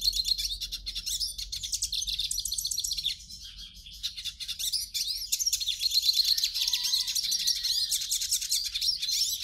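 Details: Hooded siskin song used to warm up a captive bird: rapid, irregular high twitters and trills, dipping quieter midway before resuming as a dense, buzzy chatter.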